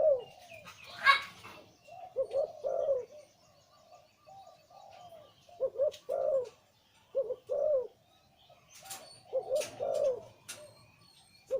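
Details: Deep-voiced liu tan zebra dove breeding male cooing steadily in a string of rolled, falling phrases, with occasional clicks, a loud rustle near the start and soft background chatter.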